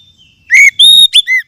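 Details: Oriental magpie-robin (kacer) lure song, used to stir caged birds into singing: after brief silence, four loud clear whistled notes, some rising then falling and one long steady note, in quick succession.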